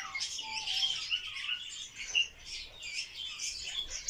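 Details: Barred warbler in a mating dance, delivering a fast scratchy warble mixed with brief clear whistled notes and a sharp louder chip near the middle.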